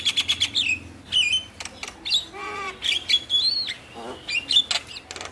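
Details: Javan myna singing, offered as a lure for lazy mynas: fast buzzy trills with sustained whistles, a nasal, harmonic-rich squawk in the middle, and further clear whistled phrases interspersed with harsh notes.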